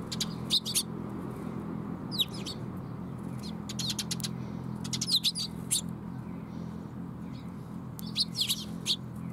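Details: Young sparrow recorded 5 June 2021 at Mizukami Bridge, calling in bursts of quick, high chirps and twitters throughout, clusters every couple of seconds, over a low steady hum.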